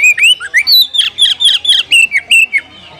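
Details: Oriental magpie-robin, called kacer, giving a rival-challenging call; a quick series of about ten loud whistled notes, some rising slurs and buzzy chacks, evenly paced before fading.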